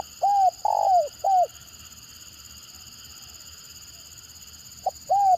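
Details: Spotted dove in tekukur gagap stuttering style, a call said to provoke responses from other birds, in a dove-trapping context: one phrase of short coos and a swelling falling coo, a pause of over three seconds, then another phrase begins; steady background hiss.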